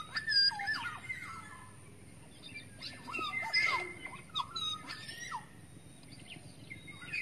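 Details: Lure call of a wild forest black-naped oriole: scattered, loose phrases of short whistled slurs and raspy notes, with quieter stretches between them.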